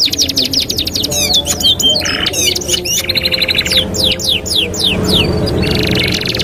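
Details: Canary singing as a training master song, with fast repeated high chips, then slurred downward sweeps and short buzzy rolls. A faint background hum runs beneath.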